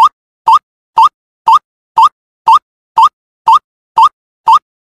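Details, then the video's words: A young White-breasted waterhen gives a short, nasal, upslurred note ten times at an exact, steady two per second, with silence between and no other sounds. "เสียงนกกวักวัยรุ่น Suara Burung Ruak Ruak"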